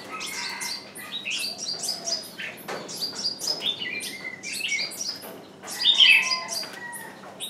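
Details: Decoy bird calling to lure wild birds that do not come in; dense high chirps and downward-sliding notes overlap with steadier whistles, a busy, continuous chatter with a louder burst near the end.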